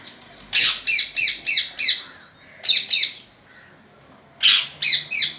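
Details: Parrot making funny noises indoors: quick series of squeaky, scratchy chirps in three bursts, five notes, then three, then four, separated by short silences.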